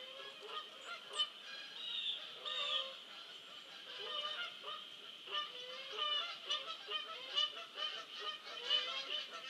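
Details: Flock of Canada geese passing overhead on 5 November 2015 at about 9:45 a.m., many overlapping honks in an irregular, clamorous chorus, growing busier toward the end, with no other prominent sounds.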